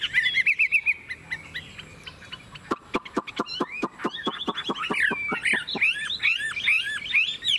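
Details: A caged Chinese hwamei sings while nodding and dancing: a long, varied song of rich rising whistles, then a fast run of sharp repeated notes, then looping warbled phrases.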